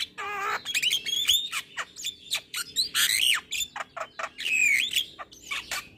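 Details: Male Javan myna singing in the morning, full of fill-in phrases: a low warbled trill, then mixed harsh squawks, clicks and clear slurred whistles in quick irregular succession.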